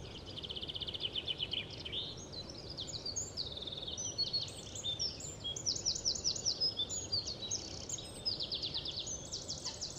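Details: Common kingfisher, possibly a male, on a Dutch webcam, 21 April 2011: a steady run of shrill, high, thin whistles and short slurred chirps, repeated without a break over a low rumbling background.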